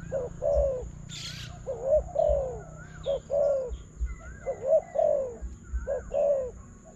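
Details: Spotted dove cooing toward a decoy during a trapping contest: groups of short and long falling coos, with a brief burst of hiss and faint whistles from other birds.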